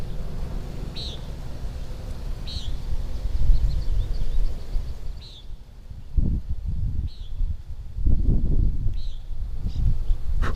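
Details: Common Nighthawk (Chordeiles minor) heard on a hike at Minneopa State Park, Mankato, Minnesota, on 18 July 2025: short, nasal, buzzy peents about every two seconds, high overhead, over low rumbling wind and footsteps.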